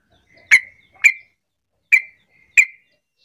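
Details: Sooty-headed bulbul calling to coax other bulbuls into answering: four sharp, emphatic chips in two pairs, each with a short trailing tone, in a quiet setting.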